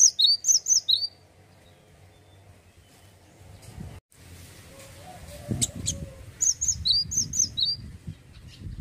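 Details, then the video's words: Male cinereous tit, called gelatik batu, in ngeplonk song: a fast run of high-low whistled phrases, a pause with soft thumps and rustling, then a second run of similar ringing phrases. "GELATIK BATU JANTAN LAGI ONFIRE...GACOR NGEPLONK"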